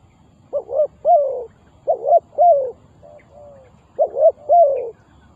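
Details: Lure spotted dove used in trapping wild doves gives repeated coo phrases: a quick double note followed by a longer slurred coo, about three times, with one soft note between.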